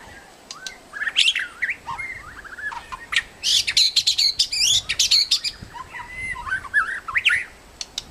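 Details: White-rumped shama, medium-tailed, singing vigorously in a protected forest: a rich, varied high-pitched song of clear whistles, slurred rising and falling phrases and rapid chattering bursts, delivered in busy spurts with short pauses over eight seconds.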